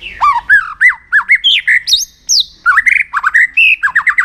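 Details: White-rumped shama singing in contest training: loud, rapid whistled notes bending down and up, with harsh squawky accents and a few high slurs, almost without pause.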